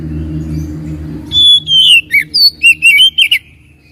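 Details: Lure song of the oriental magpie-robin for coaxing a lazy singer: over a low hum, a long steady whistle slides downward, followed by a lively sequence of looping, bouncing whistled notes lasting about two seconds.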